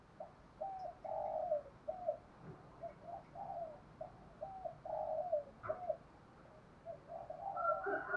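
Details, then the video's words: Spotted dove cooing outdoors, used to provoke wild doves and train decoy birds: soft, low, repeated coos in short phrases, partly masked by steady background hiss and rustling. "Tiếng chim cu gáy kích bổi mới nhanh nổi, giúp bổi rất xiêng gáy và luyện chim mồi căng lửa"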